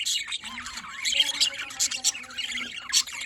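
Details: Small colony of pet budgerigars chattering with high scratchy warbles and squeaky chirps, several voices overlapping in a continuous flow.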